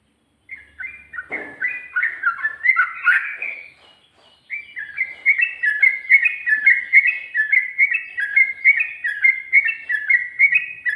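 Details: Sooty-headed bulbul singing a fast 'ropel' style song, 2020, with 'ngikluk' and 'garuda' variations: dense strings of bright, bouncing whistled notes, briefly pausing, then resuming in an even, rapid chatter.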